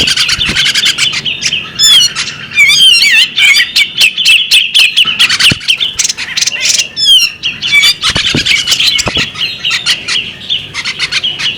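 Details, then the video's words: Female bearded magpie robin giving a busy run of high chattering notes, with bright rising and falling whistled slurs and sharp clicks woven through, continuous throughout with short gaps. "the alluring sound of a female bearded magpie robin"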